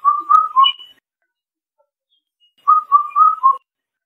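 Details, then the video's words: Indian cuckoo singing: a clear four-note whistled phrase, the first three notes level and the last slightly lower, given twice with a gap of about two and a half seconds and no other sounds. "Tiếng chim Bắt Cô Trói Cột hót hay"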